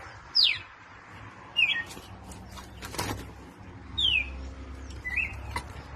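Red-crested Cardinal sings loud, clear whistled notes that slur sharply downward, given in short phrases a second or more apart over a low background hiss.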